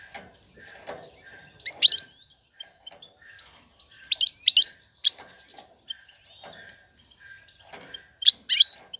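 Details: European goldfinch female calling to a male to draw him to mate; sparse sharp chirps and short twittering bursts separated by pauses, a louder burst near the end.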